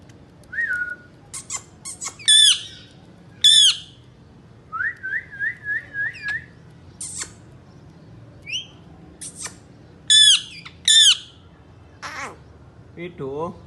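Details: Three pet Indian ringneck parakeets calling: sharp whistled notes and harsh squawks in bursts, with a run of quick repeated chirps in the middle, over quiet room hum.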